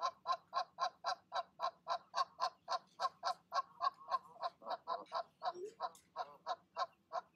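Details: Rapid, rhythmic honking, about three to four calls per second, from a goose pair encouraging their goslings to leap from the nest in the evening; the series wavers briefly midway before resuming.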